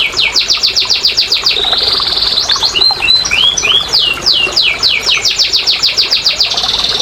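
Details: Domestic canary singing, used as a lure track to stimulate lazy, quiet canaries to sing: fast trills of sweeping high notes, a steady buzzy roll near the middle, then looping slurred whistles and more rapid repeated trills.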